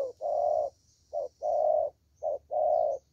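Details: A young, wild-caught spotted dove with a strong voice coos low and mellow. Each phrase pairs a short coo with a longer drawn-out one, repeated three times about a second apart. A faint high hiss runs in the background.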